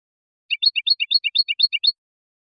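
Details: Goldfinch singing a rhythmic twitter: about a dozen quick chirps in steady pairs over one and a half seconds, each a small cluster of high notes; quiet background.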